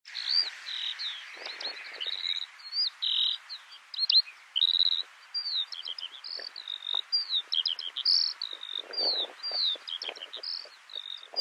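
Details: Eurasian skylark at Tignes, France, in May 2022, pouring out a rapid, unbroken stream of high chirps, trills and slurred whistles, varied and continuous, with no other sounds.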